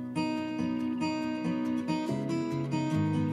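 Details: Strummed acoustic guitar music with steady chords and no animal sounds.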